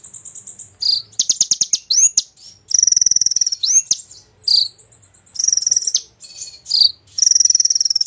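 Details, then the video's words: Golden-fronted leafbird singing continuously, its varied song filled with borrowed phrases: high steady whistles, fast stuttering trills, sharp rising sweeps and grating rattles follow one another with barely a pause. "Konin gacor isian jozz"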